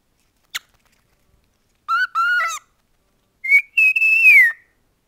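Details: Pet male cockatiel whistling indoors: a short click, then clear mid-pitched whistled notes with a wavering tone, followed by a longer steady whistle that drops at the end, in a quiet room.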